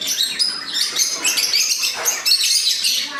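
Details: A colony of breeder lovebirds, including babies, with Opaline, Green Fischer's, Peach-faced and split birds, keeps up a dense, shrill chatter of high, squeaky chirps and screeches that overlap continuously with no pauses.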